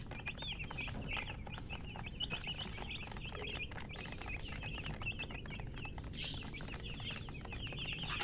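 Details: A busy flock of chickens chirps continuously in short, high, rapid notes, with bursts of hissing noise and a low background rumble.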